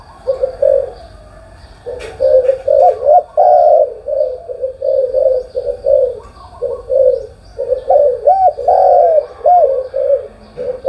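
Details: Long morning cooing bout from a spotted dove, low mellow notes in fast series, later ones bending up and down in arched, throaty inflections.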